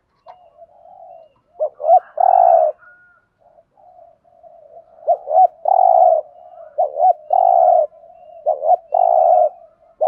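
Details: Spotted dove in 'thúc gù' Thổ-voice cooing, a style used to lure birds for trapping: repeated phrases of two short hooked notes and one sustained low coo, separated by faint purring murmurs.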